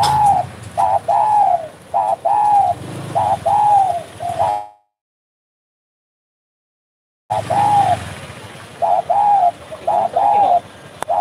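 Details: Spotted dove, called derkuku, cooing actively in 'bekur' style: a run of paired arching coos, a sudden silent break of several seconds, then more rhythmic coos resuming.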